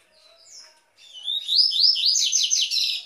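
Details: Double-collared seedeater singing the Tui Tui song style, used to warm up and train captive birds: after soft faint notes, a loud run of rapid, high, buzzy descending slurred notes repeated in quick succession.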